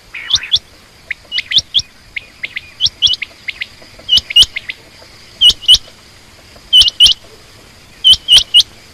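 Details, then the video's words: Female quail calling with bright, rising chirps, often doubled, repeated at irregular intervals across the recording, with a faint steady tone behind. "common quail/Rain quail sound)chinga batair ki Awaz)Звук самки перепела)صدای بلدرچین)صوت السمان"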